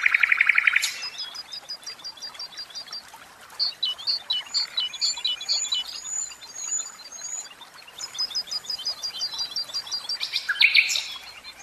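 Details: Song of a caged common nightingale: an opening dense trill, then a long sequence of spaced, high clicking and whistled notes over a background hiss, ending in another loud burst.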